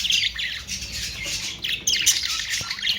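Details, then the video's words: Budgerigars chattering in a dense, overlapping stream of scratchy warbles and sharp squawks, with short rising and falling chirps throughout and no pause. "Austrailian perrot beautiful sound"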